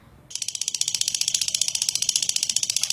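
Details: Lovebird giving a long, rough ngekek chatter, used to provoke other lovebirds into singing: after a short quiet start, high harsh pulses begin and repeat rapidly and evenly, close to four per second, until the end.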